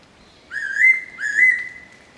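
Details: Fairy pitta recorded in 2022 during its arrival season, giving two clear whistled phrases, each sliding up and then holding steady, about two-thirds of a second apart, over a quiet background.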